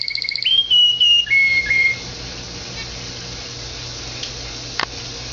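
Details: Canary kept as a pet, giving a brief high rattle followed by sliding clear whistles for about two seconds. A steady hiss then fills the rest, with a faint click near the end.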